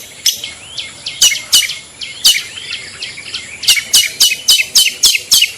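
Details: Long-tailed shrike 'toet toet' calls for luring shrikes; sparse rising whistles early on, then a dense, fast series of sharp clicking notes toward the end, a light background hiss throughout.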